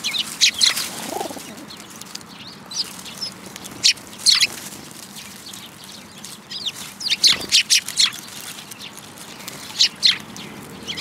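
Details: Eurasian tree sparrows gathering to be fed at a Tenmangu shrine in February 2022, giving scattered sharp chirps in small bunches, with wing flutters and a low thump amid the calls.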